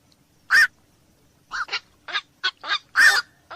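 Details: Black-crowned night heron (koak malam): a single strong, nasal quok, then after a second a rapid series of shorter, raspy barks ending in another loud call.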